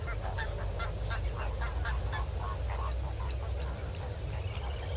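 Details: Male and female Northern black korhaan at Kamfers Dam, 7 December 2021 around 6 PM: a run of harsh, rasping broadband notes repeated rapidly and evenly, over a steady low rumble of wind or hum and faint background bird calls.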